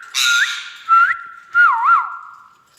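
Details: Indoor pet Indian ringneck parakeet holds a long level whistle broken by short upward flicks and a wavy double warble, with a brief hoarse burst at the start.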